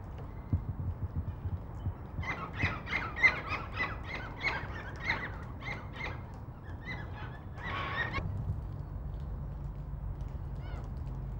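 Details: Black cockatoos at Nerrina, Victoria, recorded in 1999, give a run of harsh, rasping screeches, roughly two per second, ending in a longer grating call over a low steady rumble of wind.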